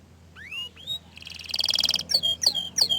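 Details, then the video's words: Orange frost canary giving a few upswept whistles, then a fast buzzy trill and three clear, ringing descending notes, over a low steady hum. "Kenari Oren Frost ini Ingin Menunjukan Kicauan nya yang Mantul"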